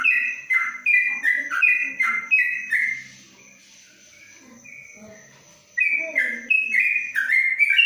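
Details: Caged yellow-vented bulbul, cage covered, singing long 'ropelan' phrases of quick, slurred whistles stepping up and down. The singing breaks off for about three seconds, then resumes just as fast.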